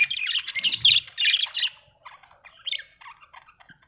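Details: Budgerigar, described as a happy Australian bird, chirping in rapid scratchy bursts of warbled and squawky notes, dense for the first two seconds, then sparser chatter with a bright squawk near the end.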